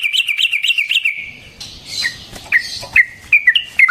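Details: Sooty-headed bulbul lure song: a rapid string of bright wavering notes, a soft hissing interlude, then sharp downslurred and upslurred chirps spaced roughly half a second apart.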